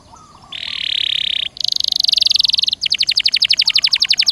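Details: Caged-canary prompting song in 'gacor dor nembak' style: one buzzy roll, a higher, pulsing buzzy roll, then a quick, steady trill of sharp repeated notes.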